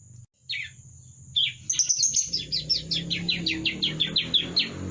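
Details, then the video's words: Young bar-winged prinia learning its song: two isolated high chirps, then a quickening series of thin, descending chirps repeated about three per second, over a low rumbling background and constant high whine. "ANAKAN BURUNG CIBLEK BELAJAR BUNYI"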